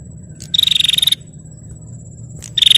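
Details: Female bar-winged prinia calling to provoke males into fighting: two rapid, buzzy, high-pitched rattling bursts about half a second long, over a steady thin insect whine and low rumbling background noise.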